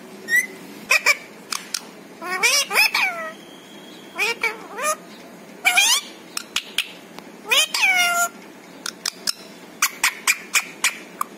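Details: Talking pet parrot that mimics family words like papa, mummy and Radhe Radhe. It delivers rapid runs of rising and falling nasal syllables mixed with sharp clicks, almost continuous over eleven seconds.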